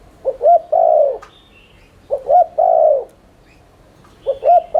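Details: Spotted dove coo used to stimulate other doves: repeated low phrases of quick paired notes ending in a long falling coo, roughly every two seconds, with thin high twitters faintly in the background.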